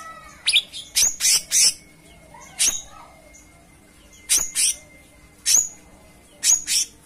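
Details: Cucak cungkok song: clustered bright high chirps, a quick series at the start, then doubled notes returning about every second, with a faint low hum behind.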